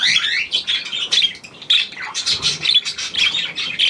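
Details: A hand-tame Australian pied budgerigar, new to its home, chatters busily in quick, uneven runs of squeaky whistles, raspy notes and short chirps, about one or two phrases a second.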